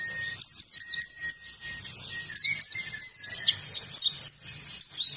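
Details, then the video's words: Ngalas-style oriental white-eye song used to teach other birds: bursts of sharp, very high downward-flicking chirps, separated by brief gaps, with a faint steady lower whistle in places. "PEMANCING PLECI BAHAN UNTUK BELAJAR NGALAS"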